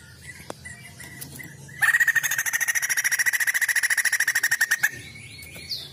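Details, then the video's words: Female white-crested laughingthrush, kept as a cage bird, in full voice: a loud rapid chattering burst of harsh repeated notes, about three per second, lasting some three seconds, with softer whistled slurs before and after. "Poksay jambul betina gacor"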